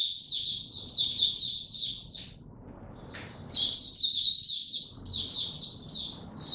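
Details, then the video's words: White-eye (mata puteh), a kept bird given no supplements, recorded 29 April 2022, in opening song: high chirping phrases, a quiet gap, then a loud, rich burst of rapid twittering, with low background noise. "Mata Puteh Hercules buka sing"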